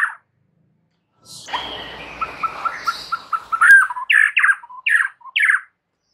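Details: White-rumped shama song, used to prompt a silent bird into singing: a soft hissy patch, then a row of short clipped notes speeding up and ending in loud, buzzy, downslurred phrases with brief pauses.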